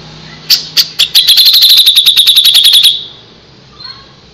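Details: Grey-cheeked bulbul opening with a few spaced harsh notes that speed into a long, steady, rattling chatter, ending abruptly, followed by a faint soft call.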